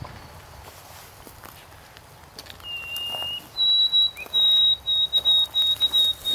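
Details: A male White-throated Sparrow sings a pure whistled song, apparently the traditional triplet-ending "sweet Canada" variant: one lower held note, then higher notes broken into quick repeated beats, with faint rustling in the background.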